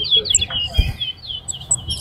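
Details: Competition towa towa at Lamaha bird ground: bright, high, sweeping warbled phrases tumble one after another, with faint background chatter and a single low thud near the middle.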